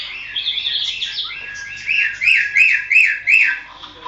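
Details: Greater green leafbird song from a songbird training track: a soft scratchy warble, then four loud arched whistles, each rising and falling, spaced about a third of a second apart.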